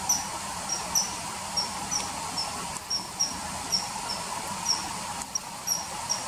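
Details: Common kingfisher, riverside, early September 2020: thin, high piercing whistled notes, repeated roughly twice a second at an uneven pace, over a steady hiss and low hum.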